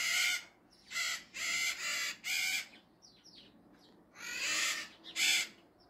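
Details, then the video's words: Maritaca (Pionus) parrots give harsh, raspy screeches in bursts of about half a second, several in quick succession, with a few thinner squeaks between them. "aves maritacas"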